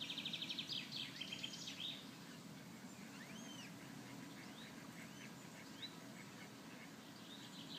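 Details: Eurasian coot chicks, filmed close with their parents, give thin, high, upslurred peeps, scattered a few per second after a quick burst of rapid notes. A steady low hum runs underneath.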